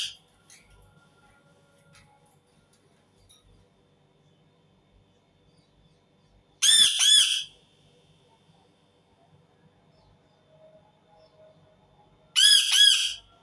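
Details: Two short bursts of grating screeches from an Indian ringneck parakeet, each a quick cluster of arched notes, separated by about six seconds of quiet.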